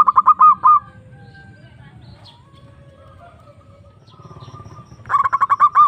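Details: Zebra dove calling a rival, used as a lure: a fast run of clipped, bubbling coo notes, then a lull with faint other sounds and low noise, before another burst of rapid repeated cooing notes at the end.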